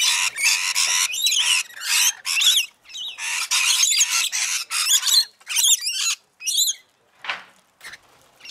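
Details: Rainbow lorikeets at a feeding frenzy on Mount Tamborine, Queensland, Australia: dense bursts of harsh, grating screeches and shrill chatter in near-continuous runs, thinning toward the end into a few separate squawks with short silences.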